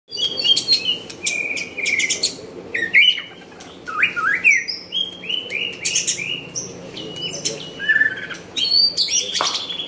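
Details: White-rumped shama singing a varied run of loud whistled phrases: clear flat whistles, sharp upward-sweeping notes, slurred falling whistles and brief high chips, delivered in quick bursts with short pauses between them.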